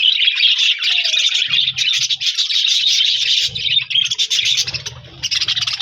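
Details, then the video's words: Budgies chattering together after meeting a new budgie friend, January 4, 2026; busy, scratchy warbling and fast chirps run almost nonstop, dipping briefly in places, with occasional low rumbling knocks. "Budigs Sounds Chirping with new Budigs Friend"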